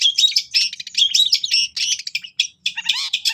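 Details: Long-tailed shrike in rapid gacor song with cililin-style fill, used to train captive birds: busy, jumbled high chatter and slurred whistles, a short pause, then a final burst with a lower rising note.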